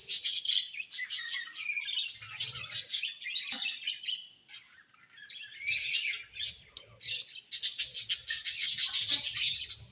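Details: A colony of budgerigars described as happy, chirping busily: dense bursts of high, scratchy warbling and chattering notes, pausing briefly in the middle before rising again into a loud, crowded chorus.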